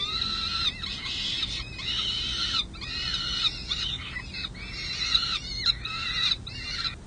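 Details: Hungry peregrine falcon chicks on San Jose City Hall in May 2022 begging for lunch. Long, grating screams overlap almost continuously, several voices at once, broken by short gaps.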